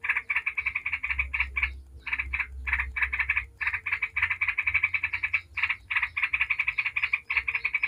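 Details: Yellow-vented bulbul singing as a lure to set other bulbuls singing: a dense, almost continuous stream of rapid bubbly chattering notes with only brief pauses. A low hum runs underneath.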